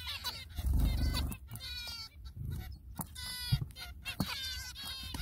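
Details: Zebra finch parents feeding their babies give nasal, buzzy calls in short repeated bursts over a low background rumble.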